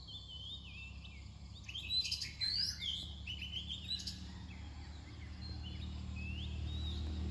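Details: Oriental magpie-robin near dawn: a soft whistle, then a burst of bright chirps and slurred whistles in the middle, trailing into occasional thin notes as a low rumbling noise grows louder.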